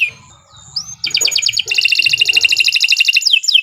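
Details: Canary singing to stimulate other birds: a soft opening whistle, then quick repeated high chirps running into a fast, even trill.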